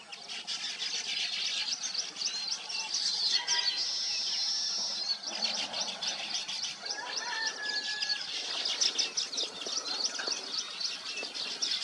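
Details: Weaver birds at their nests: a dense, continuous chorus of high, buzzy chattering and rapid ticking notes, with scratchy slurred calls and a sustained sizzling note midway.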